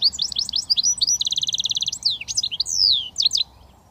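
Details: Goldfinch mule, a British finch hybrid, singing in the switty style: rapid twittering chirps, then a dense buzzy run of fast repeated notes, then sweeping whistled slurs that stop abruptly before a quiet end.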